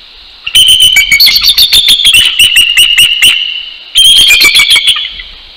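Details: Territorial duet of a mated bald eagle pair at a northeast Florida nest, 6:48 AM, 12 January 2019: a long run of rapid, squeaky, high piping notes, then a shorter second chittering bout.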